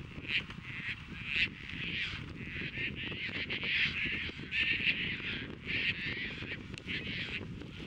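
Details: Caspian terns (Hydroprogne caspia) courting at Montrose Beach, Chicago, on 22 April 2024, catching and offering fish and mating. Several birds give harsh, rasping, crow-like calls, about one a second and overlapping, over a steady background rush.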